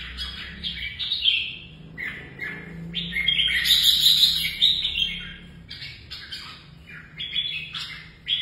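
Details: Red-whiskered bulbul, a kept bird trained for competitive singing, pouring out rich, warbling phrases of slurred whistles and chattery notes in bursts, with a faint low hum beneath.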